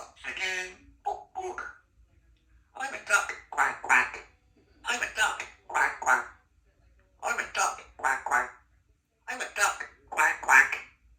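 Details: Three-year-old female Congo African grey parrot, kept as a pet in a country home, chattering and mimicking human speech: clusters of speech-like syllables in pairs, repeated phrases roughly every two seconds, with quiet pauses between them in a small indoor room.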